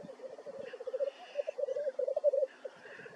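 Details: Black grouse recorded in North Wales, 9 May 2024: a rolling, cooing bubble of rapid low notes running almost without pause, rising slightly in strength toward the end.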